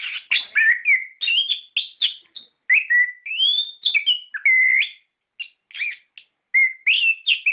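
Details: A gacor, ngeplong orange-headed thrush, recorded as a lure to stimulate caged birds: clear whistles rising and falling, with buzzy slurs and a long upward-swept note, delivered in irregular phrases.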